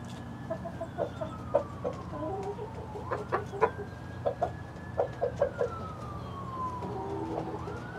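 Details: A mixed flock of hens clucks in irregular clusters, roughly every second or two, while a long sliding siren-like tone falls and rises in the background.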